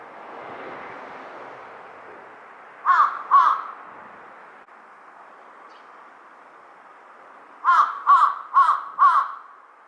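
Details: Large-billed crow calling: two harsh, hoarse caws near 3 seconds, then after a quiet pause a run of four evenly spaced caws around 8 seconds, over a soft background hiss.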